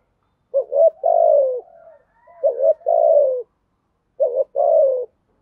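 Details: Spotted dove in the earthy-voiced cooing style meant to provoke other doves: three soft, low phrases, each a brief double note leading into a longer descending coo, spaced roughly every one and a half seconds in a quiet setting.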